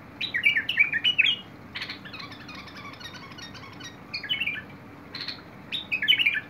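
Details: Bulbul singing on 21 August 2022: jumbled chattering notes and rustling clicks in the middle, framed by clear warbled phrases at the start and end.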